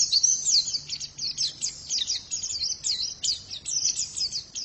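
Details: Song of a female white-eye, a steady stream of thin, high chirps and quick rising and falling twitters, slightly softer, with a faint low hum underneath.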